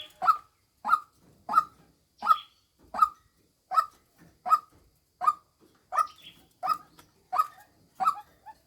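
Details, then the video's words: Decoy call of a female white-breasted waterhen: a run of about twelve hoarse, punchy notes at a regular beat, with faint higher bird sounds between them. "tiếng chim quốc mồi mái"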